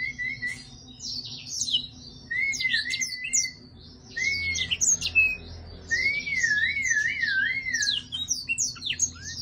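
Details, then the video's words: Singing, dancing black-throated laughingthrush gives clear whistled phrases, one wavering up and down, alternating with bursts of high, scratchy chattering notes, separated by short pauses. "Blackthroated singing- thạch Yến cổ đen hót múa - bird vip singing"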